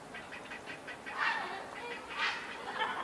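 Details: At a grey heron nesting colony in Sendaibori River Park, Tokyo, in March 2022, many chicks give quick rattling pulses, broken by two louder, raspy squawks.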